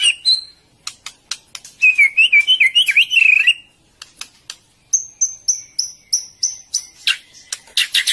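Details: Female white-rumped shama in breeding condition, calling to excite males as it feeds its chick; rapid clicks, a wavering whistled phrase, then a series of high descending whistled notes repeated steadily.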